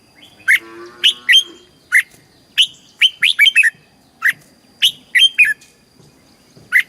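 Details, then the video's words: Red-whiskered bulbul in a cage in Thailand, southern master-style song used to rouse other caged birds and train chicks: clear, warbling whistled notes grouped into four quick phrases, each a rapid run of rising and falling syllables. "เสียงนกกรงหัวจุก สำหรับต่อ หรือ เปิดให้นกคึก"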